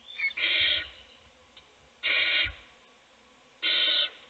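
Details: Inside a nest box, an owl feeds a chick as the other chicks sleep; three drawn-out rasping hisses, the first preceded by a short squeak, with soft thumps below.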